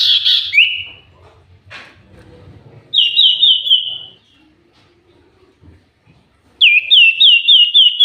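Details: Common iora singing busily: a short high whistle, then two bursts of rapid, slurred whistled notes on one steady pitch, each burst a few seconds long, with faint low murmuring between them.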